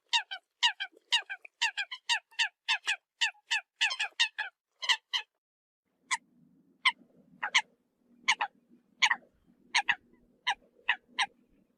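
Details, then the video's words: Eurasian coot calls used to lure birds: a fast run of short, sharp notes, then slower single and double calls about a second apart, with a low hum in the background. "TIEN CHIM SAM CAM CUC CHUAN TIENG CHIM MOI"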